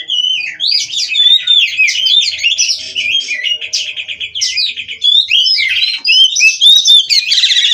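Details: Oriental magpie-robin from a captive breeding farm delivering long, unbroken 'gacor' song. Fluid whistles and chattering trills run at about four notes a second, ending in a loud scratchy flourish.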